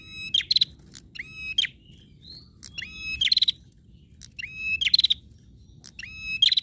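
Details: Prinia in excited full song that prompts other prinias to join: repeated bright, ringing chirps in quick clusters of two or three, about every one to two seconds, with faint thin whistles between and a low background murmur.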